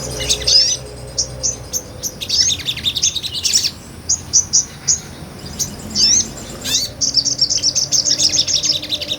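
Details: Sunbird singing energetically, a small nectar-feeder recorded on a Sony A6400 as tutor song for songbirds. Jumbled high chirps and flicked twitters in short bursts, ending in a long rapid pulsed trill of many notes.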